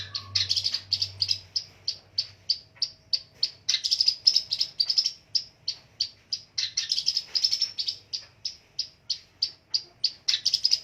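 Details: Long-tailed shrike, a fighter bird, in full song: a rapid series of sharp, high chipping notes repeated about three per second, with a few louder rattling bursts; a faint low hum underneath at the start.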